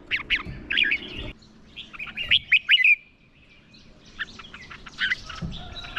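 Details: Decoy red-whiskered bulbul giving fighting song meant to provoke wild birds; short clusters of rich slurred whistles, a thin drawn-out note, then more scattered chirps, low background rumble throughout.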